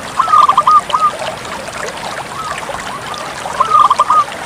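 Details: Zebra dove, a Bangkok-type bird, singing actively: two phrases of quick, staccato, mid-pitched cooing notes run together in a rolling series, with a quiet hiss underneath.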